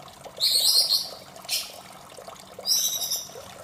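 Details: In the morning, a white-rumped shama sings two short, very high, sweet whistled phrases separated by a gap, over a steady rush of flowing water.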